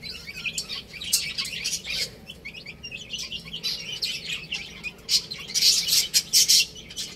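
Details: Baby chicks playing and eating, giving a busy stream of thin, high peeps and chirps that overlap irregularly, with short bright clicks and bursts that grow denser and louder toward the end.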